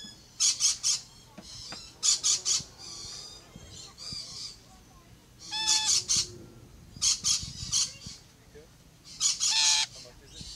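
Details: Rainbow lorikeets climbing a fence give harsh, noisy screeching bursts in short clusters every second or two, with quieter gaps and faint background rumble between.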